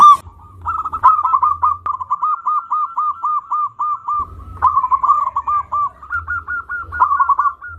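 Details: A local zebra dove sings continuously and energetically, giving a long string of soft, evenly repeated cooing notes that break into quick rolling trills, with occasional low thumps underneath.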